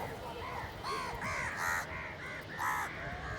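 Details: Hungry village crows fighting for food, with loud, harsh, nasal caws given in quick succession, roughly three per second, some rising then falling. Faint background rumble underneath.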